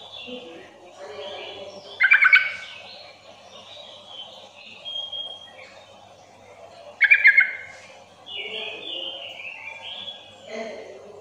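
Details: Calling sooty-headed bulbul used to bait other bulbuls into answering: two loud bubbly phrases five seconds apart, each a fast cluster of liquid notes, with scattered whistles and chirps of other birds around.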